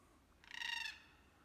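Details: In Jarrah Forest near Jarrahdale, a red-tailed black cockatoo perched on lookout at a rocky outcrop, watching a walker, gives one harsh, grating, rolling half-second screech, rough at the start; it is perhaps warning others.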